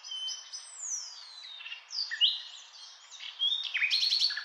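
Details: Nightingale singing a long descending whistle, then assorted sharp chips and short slurred notes, ending in a loud buzzy run of rapid repeated notes.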